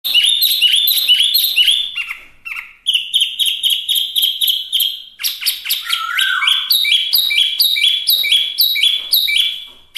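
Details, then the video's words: Chinese hwamei, a small form locally called wambi mini, singing in a lively, varied flow: rapid repeated whistled notes, trills and slurred phrases, with a lower falling whistle near the middle and brief pauses between bursts. "Suara Asli Wambi Mini/Hwamei Gacor"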